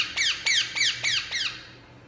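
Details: Relaxed Indian ringneck parakeet in a small room calling five loud, raspy squawks, each sliding downward, spaced about a quarter second apart, with the last fading out.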